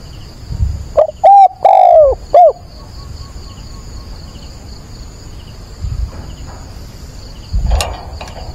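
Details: Decoy spotted dove calling at dawn to provoke and train other doves: a few short hoarse cooing notes in quick succession, then quiet with steady insect hum, low rumble and faint distant sounds.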